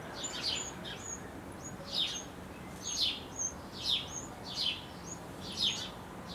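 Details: Nestling Eurasian wrens fed by adults just before leaving the nest: scratchy falling chirps, nearly one per second, with thin high squeaks woven between them.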